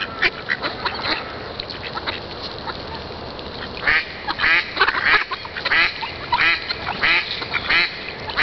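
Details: Group of ducks quacking and talking: a quieter, scattered stretch gives way to a busier run of raspy quacks overlapping in irregular clusters against a hissy background.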